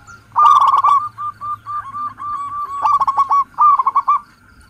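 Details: Local zebra dove calling, played as a lure for catching wild birds: a loud burst of stuttered notes, then evenly spaced short mid-pitched coos, then two more rapid rattling bursts.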